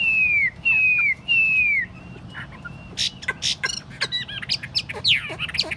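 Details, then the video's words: Tame caged Chinese hwamei in a hand-carried cage set on a table: three loud slurred whistles, each sliding downward, followed by a scatter of sharp clicks and short chirps. "Thuần tít xách tay đặt bàn, không tật lỗi. 夜莺之歌, นกไนติงเกล, burung, bulbul."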